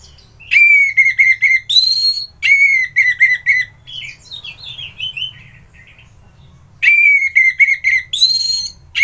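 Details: Vigorous song of a kept orange-headed thrush in Bali, Indonesia, recorded in the morning: bright whistled phrases of quick repeated notes, each phrase ending in a buzzy high flourish, a softer warbling interlude, then the phrase pattern returns.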